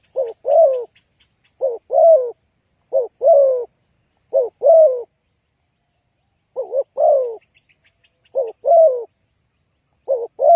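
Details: Lure call of a spotted dove for trapping, with repeated low cooing phrases, a clipped double note then a drawn-out wavering coo, several in quick succession, and faint high bird chirps in the background.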